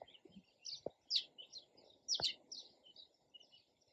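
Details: Sparrow chirping: short bright chirps in irregular bursts, several close together and a few louder notes, over a low steady background hum with two sharp knocks.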